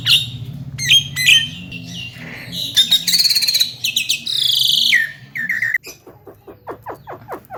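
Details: Javan myna singing a varied medley of sharp chirps, squeaky whistles and buzzy bursts, ending in a series of quick dry clicks.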